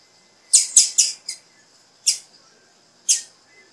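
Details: Female blue-black grassquit giving a call that prompts the male to sing: a rapid run of four high, clipped chips, then two single chips about a second apart.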